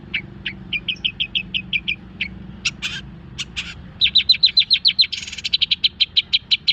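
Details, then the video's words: Long-tailed shrike recently finished molting: a steady series of thin high ticks, a few louder rasping notes, then fast, loud chattering bursts and a rapid trill of sharp chirps. "Masteran cendet bikin burung birahi dan emosi"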